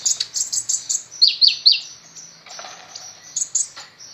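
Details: Kolibri ninja sunbird in lively song: a rapid series of high, sharp chirps, then three clear downslurred whistled notes, followed by a softer run of thin twittering.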